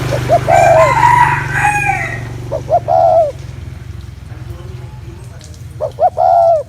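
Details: Spotted dove cooing to excite males: a rooster crow opens, then two phrases of short notes ending in a long falling coo, over a persistent low hum.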